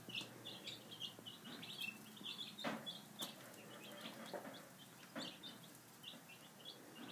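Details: Five-day-old chicks at feeding time: scattered high peeps mixed with sharp pecking and clattering taps, the chirping less dense than the knocking.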